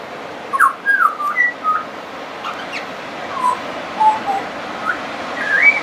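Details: Pied butcherbird singing persistently, mimicry included: rapid falling and rising whistled slurs early, a pause, then lower mellow notes and a final upward whistle; high thin chirps of other birds overlap throughout.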